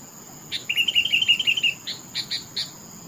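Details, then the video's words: Sooty-headed bulbul giving a short run of even, bubbling notes that lasts about a second, followed by several separate sharp chirps. A quiet steady hiss sits in the background. "Suara burung Kutilang TOPCER merdu sekali"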